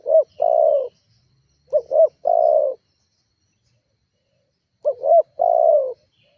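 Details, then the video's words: Spotted dove heard as a lure to provoke rivals and set other doves calling; three spaced phrases of soft short coos leading into a longer falling coo, with a long silent gap before the last. "Suara tekukur GACORR menekan emosi lawan"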